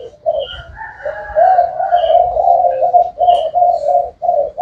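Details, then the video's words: Spotted dove giving a steady run of deep, rolling coos with a slightly wavering pitch, almost continuous across the recording, while brief high chirps from other small birds sound intermittently. "Cu gáy thái hậu"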